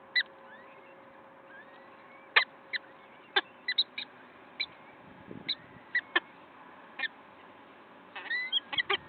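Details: Peregrine falcon at the nest in Wakefield, 5 May 2021, 06:55: sharp, isolated clicking chips scattered through the recording, with faint drawn-out whining notes between them over steady low background hum.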